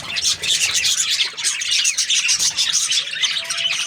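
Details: Budgies in a happy mood chatter nonstop, high thin squeaks and scratchy warbles tumbling over one another in a dense flock-like stream.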